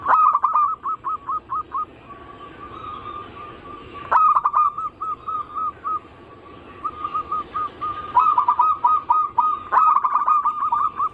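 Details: Anggungan song of a zebra dove, meant as a lure to set local, Bangkok and crossbred doves singing: brisk repeated cooing notes, about three per second, in several phrases broken by loud choppy bursts and a few brief pauses.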